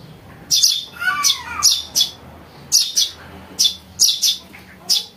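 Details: Harsh, high chirps from a house sparrow chick, often in doubles, with a brief lower harmonic squeal early on, in a recording meant to lure birds.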